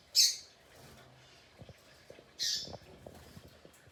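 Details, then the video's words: Double-collared seedeater, loose rather than caged, asking to mate, gives two sharp, high, bright chirps roughly two seconds apart, with quiet low knocks and rustling between them. "Pedindo gala"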